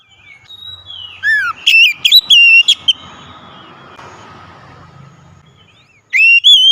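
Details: Loud singing of an oriental magpie-robin used to prompt a lazy bird to sing, a quick run of whistled and sharp sweeping notes, then a long hissy pause and a final rising whistle.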